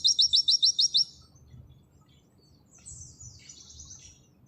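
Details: Oriental white-eye of the Auri type gives a brisk burst of seven high, identical chipping notes over one second, then a faint, thin buzzy warble in the nembak sejalur style.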